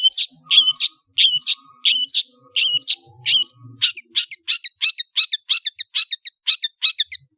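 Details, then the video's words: Long-tailed shrike song of paired harsh scratchy notes that speed up into a quicker series of sharp, high chips toward the end. "CENDET MEWAH ANDALAN Kicau Ocehan"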